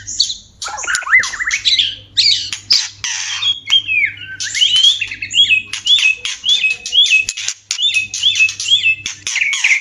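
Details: White-rumped shama in a mating-stimulation recording: harsh scratchy bursts followed by a rapid series of repeated hooked whistled notes, loud and energetic.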